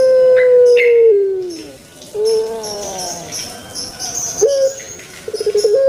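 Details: Kept puter pelung dove, Indonesia, in its long 'kwok' style: the tail of a sustained level hoot slides downward, a softer wavering coo follows, and a short burst of rapid pulses closes the sequence.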